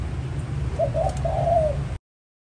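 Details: Spotted dove lure call for trapping: one short phrase of two brief soft coos followed by a longer sliding coo, over steady low rumbling noise, then silence.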